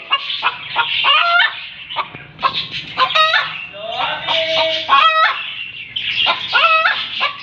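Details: Hen chicken cackling after laying an egg: overlapping, squawking notes that rise and fall, uttered irregularly with a noisy, murmuring background.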